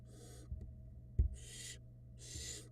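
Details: Young barn owls in a Florida nest cam during a feeding by the female: three drawn-out, noisy rasping hisses separated by soft thuds and a louder bump, over a quiet hum.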